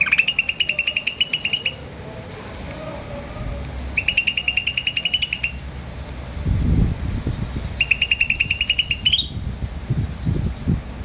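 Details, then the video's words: Green starling chirping in three bursts of quick, evenly spaced high chirps, each run lasting about two seconds with pauses between, over a low rumbling and knocking background. "Green Starling Chirping Sound"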